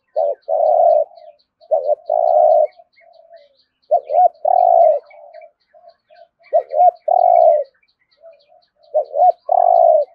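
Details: Spotted dove repeating its resonant 'thổ rền' 'thúc gù' coo four times: each phrase two short clipped notes and a long, rolling, vibrating note, every two to three seconds, with soft notes between.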